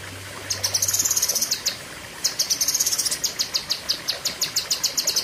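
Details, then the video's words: Cucak kinoi leafbird giving long, sharp 'pedes panjang' bursts: two runs of rapid, shrill high notes split by a pause of about half a second. "Tembakan Ngeri Cucak Kinoi (Pedes Panjang)"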